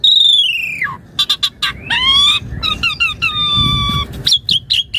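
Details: Asian pied starling singing as a training master: a long loud falling whistle, sharp clicks, then buzzy rising whistles and a drawn-out level note with squeaky flourishes.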